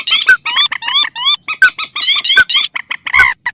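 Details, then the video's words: Mandar or pelan rail lure call mixed with tikusan: a quick stream of squeaky rising notes, some whistled glides and sharp clicks, delivered almost without pause. "Suara pikat burung mandar atau pelan vs tikusan"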